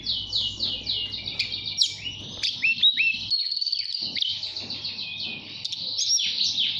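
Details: Mountain tailorbird kept in a cage in Purworejo, Central Java, whistling nyuling-style to call a female; quick downward-slurred notes repeat in a rolling series, then longer level whistles and twittering trills over a soft background hum.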